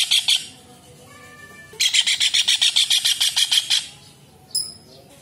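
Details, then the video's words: Kingfisher used as tutor material for cage songbirds: a brief harsh burst, a quieter stretch with faint thin tones, then a long loud series of grating notes several per second, ending with a single sharp note. "TENGKEK UDANG / CEKAKAK GACOR / RAJA UDANG"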